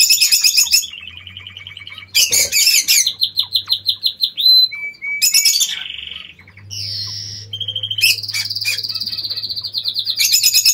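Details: Captive King quail in an aviary giving high, thin whistles and fast buzzy trills in short bursts, some notes rising then falling, over a faint low hum.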